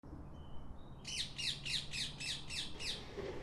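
Rose-ringed parakeet giving a rapid series of about seven harsh, shrill screeches, roughly four per second, over a low background rumble.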